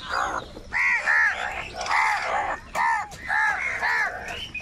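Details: Crows in a big noisy gathering, squabbling over food, give rapid, nasal caws in clusters of two or three, each call arched and hoarse, with barely a pause between groups.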